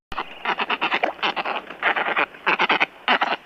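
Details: African woolly-necked stork from southern Africa giving harsh, hoarse squawks in rapid runs, about five to eight per second, with brief pauses between groups.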